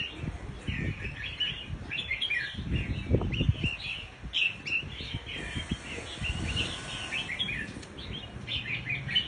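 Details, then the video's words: Lure call of the scarlet-backed flowerpecker, a steady stream of thin, high chirps and quick twitters running throughout, partly masked by loud low rumble and knocking noise. "Suara Pancing Burung Cabean merah | Burung Cabai Merah | Sepah Puteri | Chirp of Birds"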